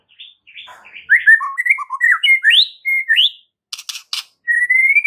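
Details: Masteran song of a white-rumped shama, used to make other shamas respond at once: a rapid, varied run of warbled and slurred whistles, then harsh, raspy bursts and a rising clear whistle.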